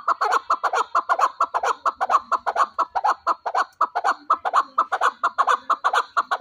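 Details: Chukar partridge kept as a fighting bird, giving a steady, fast series of harsh chuck notes, roughly two per second, loud and rhythmic throughout, with no other clear sounds.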